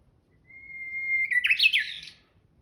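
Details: Japanese bush warbler singing on 26 March 2021: a long, steady whistled note that holds level for nearly a second, then breaks into a quick, rising and falling warbled flourish, against a quiet background.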